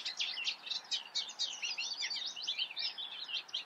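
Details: Eurasian reed warbler in the Eifel pouring out a dense jumble of scratchy, twangy notes with little gap between them, a busy chattering phrase throughout.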